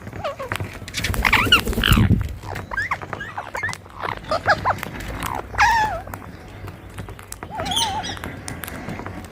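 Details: Rose-ringed parakeets, Indian green parrots, sitting together on a tree in India: a flurry of harsh, curving squawks that rise and fall in quick succession, some overlapping, over low rumbling background noise.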